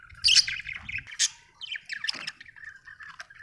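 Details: Budgie chirping: a loud buzzy squawk-like opening, then a sharp high note and a run of quieter rapid twitters fading out.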